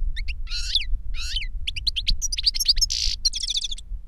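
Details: Reclamo song of a European goldfinch, master or novice pupil trained by CD; two harsh buzzy phrases, sharp twitters, another rasping buzz, then a fast rattling trill, all over low steady background noise.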